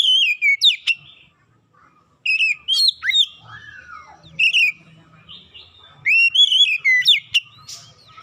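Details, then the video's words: Oriental magpie-robin lure song meant to get a bird singing at once: loud, clear whistled phrases with slurred, rising and falling notes, delivered in short bursts separated by brief silences, over a faint low hum. "kicauan pemikat Kacer bahan susah bunyi langsung gacor"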